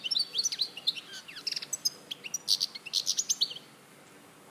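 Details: European goldfinch, Larache, 2014, singing a quick phrase of sparkling high chirps and short trills for about three and a half seconds before falling silent.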